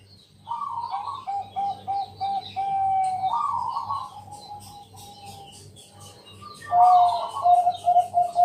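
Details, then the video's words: Zebra dove kept as a lure bird, singing loudly at night to prompt other zebra doves to sing. Two bouts of rolling coos, each ending in a drawn-out note, are separated by a quieter pause. Faint high chirps and a low hum are heard. "Pancingan malam hari Perkutut Bangkok..Suara Penghilang Stress Burung Perkutut"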